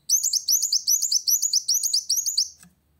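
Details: A purple-throated sunbird sings to take on a rival, delivering a quick, even string of very high twittering double notes, about seven per second, before stopping abruptly.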